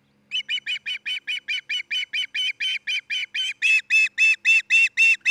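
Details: Osprey calling at the nest of a mated pair in Charlo, Montana, on a nest cam, June 27, 2018: quick, evenly spaced piping chirps, roughly four per second, growing louder toward the end, with a faint low hum beneath.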